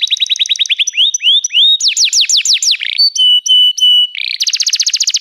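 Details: Canary singing a training song for other canaries: rolling trill, rising slurs, loud descending sweeps, sustained pure whistles, and a closing rapid buzzy trill.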